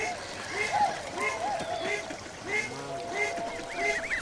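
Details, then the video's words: Canada geese in Britain, a large, vocal, social species, honking: several birds overlapping in nasal two-note calls about every half second, with a man speaking over them. "Large, vocal and social, Canada geese are now a common sight across Britain."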